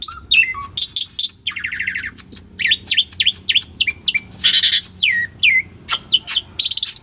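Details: Live recording of an Asian pied starling in full song, meant to provoke birds that have stopped singing; low whistles and rapid trills lead into a run of quick downward-slurred whistles and harsh bursts.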